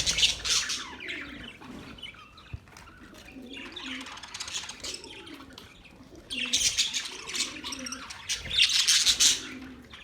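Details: Budgerigars chatter in loud bursts of scratchy chirps, with soft cooing and a few fluttering wingbeats in the quieter gaps.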